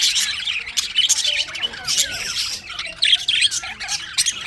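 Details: Winter budgerigars give bursts of harsh, high squawks and chirps that come in irregular clusters, with brief soft warbling between the louder outbursts.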